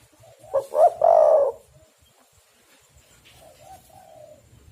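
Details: Vigorous spotted dove call meant to lure other doves into a trap: a single phrase of two quick rising coos and then a drawn-out, slightly falling coo, followed by a faint soft trailing note.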